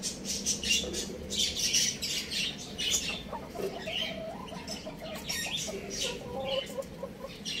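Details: Young roosters and chicks playing at home: a busy run of high, squeaky chirps and squawks at an uneven pace, some dropping lower in pitch, over a steady low background hum.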